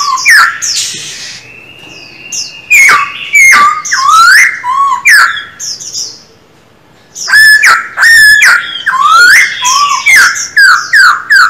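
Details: Silver-eared laughingthrush, a caged songbird in voice training, delivers loud whistled phrases with sharp upward and downward sweeps, broken by a brief pause, then resumes with a rapid string of ringing, harmonic notes.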